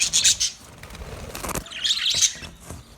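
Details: Parrots chirping on 20 November 2023: a shrill squawky burst at the start, a quieter gap, then another scratchy flurry of high notes.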